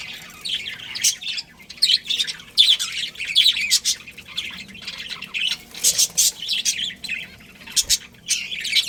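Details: A breeding pair of budgies chirps and chatters steadily: buzzy, rapid warbling notes alternating with sharper, shrill squeaks that come in quick runs.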